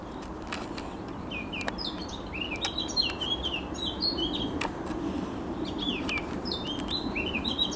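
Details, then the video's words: Eurasian blackcap singing on 7 June 2023, a run of quick, varied warbled and whistled phrases, partly rising and falling, repeated in short bursts over steady low background noise. "Śpiew kapturki"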